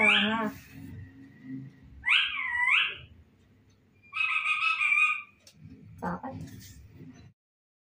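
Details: Talking parrot at home mimicking a cat's meow: a low rough call, then a twisting, sliding meow, a longer steady buzzy meow, and soft low murmuring with a short sharp note near the end.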